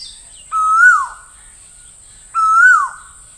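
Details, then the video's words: Two loud ringing calls from an Asian koel, each a long note rising gently then sliding down at the end, about two seconds apart, over a steady high-pitched whine. "Asian Koel Master Sound - Asian Koel Sound Effect"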